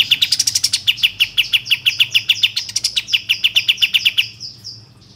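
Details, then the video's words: Bulbul known locally as kapas tembak, played as a lure to make birds sing and open their tails: quick rattling chirps, an even run of sharp notes, then a fading, higher ending. "Pancingan Kapas Tembak Agar Bunyi Gacor dan Buka Ekor Tercepat"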